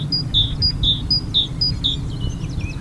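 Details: An adult great tit singing on a power line gives a quick, repeated two-note phrase, a higher note then a lower one, about four times in under two seconds, over a low background rumble.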